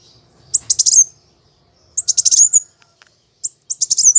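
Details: Plain sunbird kept as a cage bird, singing fighting song in three short bursts of rapid, high, sharp chirps, each closing with a thin whistled note, separated by brief silences.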